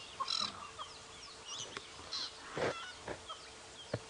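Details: Drongos mobbing a predator on a sunrise safari drive at Djuma Game Reserve, South Africa, around 7:30 AM on 5 May 2017, give harsh, scratchy bursts mixed with brief metallic whistled notes, spaced irregularly; faint calls of other birds behind.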